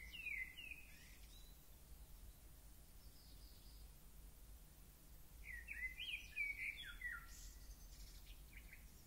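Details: Bird song recorded in Grenoble, faint against a constant low hum: a brief chirpy twitter at the start, then a longer run of quick high whistled notes with rising and falling slides after a quiet gap.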